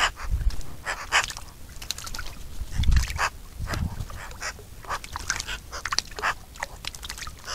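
Eurasian magpie giving harsh, rasping, broadband chattering calls in irregular bursts about every half second to a second, over low wind or handling rumble.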